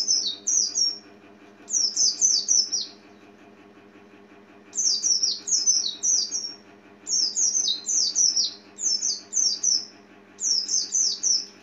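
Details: White-eye, known locally as pleci or kacamata, a small yellowish-green songbird, singing in fast bursts of high, sweet, tumbling chirps lasting about a second each, separated by short pauses, over a steady low mechanical hum.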